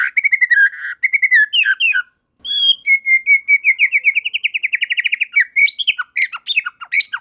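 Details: Singing white-rumped shama joined by others: clear whistled phrases, then a long rapid trill of rising notes lasting about two seconds, ending in a burst of sharp, varied chirps and high whistles.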